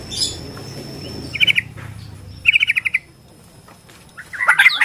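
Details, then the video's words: Bornean white-rumped shama singing, used to provoke rival shamas into song and fighting: two bursts of rapid repeated chattering notes, then a rising harsh phrase, against low background rumble and a thin steady tone. "KICAU BORNEO AMPUH BIKIN MURAI STRES SUSAH BUNYI AUTO FIGHTER NYAUT"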